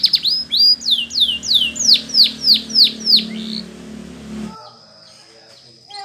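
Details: Spanish Timbrado canary, singing to train other canaries. Eight evenly spaced, downward-sliding whistled notes roughly every third of a second, then the song stops, leaving a low hum and faint thin tone.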